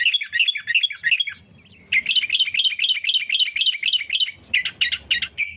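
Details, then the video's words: Sooty-headed bulbul singing persistently as a lure for catching rivals: quick chirps, a short lull with low background rumble, then a steady run of rapid repeated notes, about four each second. "suara kutilang gacor cari musuh"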